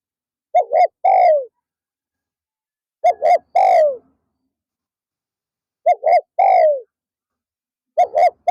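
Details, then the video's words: Spotted dove used as a decoy in an afternoon session to lure wild doves. It gives clear, mellow three-note coos: two short notes, then a longer, descending drawn-out note. The phrase repeats about every two and a half seconds in quiet surroundings. "เสียงนกเขา /นกเขาใหญ่ป่าร้อย"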